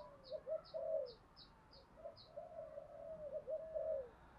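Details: Spotted dove decoy call meant to provoke fighting: soft, repeated mellow coos against a hiss of background noise, with a regular high ticking every third of a second early on.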